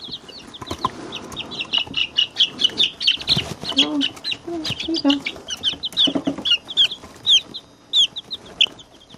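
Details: Week-to-ten-day-old chicks, barred rocks, silver laced wyandottes, blue copper marans and Isa reds, eighteen together in a chick box, filmed close by a camcorder; loud, dense, high peeping chirps in quick overlapping bursts, with a few lower soft notes.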